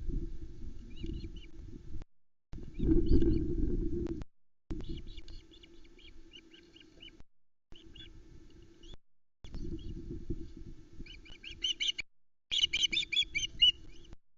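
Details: Osprey nest at Loch Arkaig, 19 July 2020, with three chicks and an adult bringing a whole trout: scattered short high chirps building to a quick piping series near the end, heavy wind rumble throughout.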